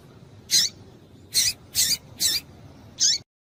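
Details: Calls of a female double-collared seedeater, used to stimulate males: five brief, bright, high-pitched chirps delivered in a quick uneven series, roughly one per second, over quiet background hiss.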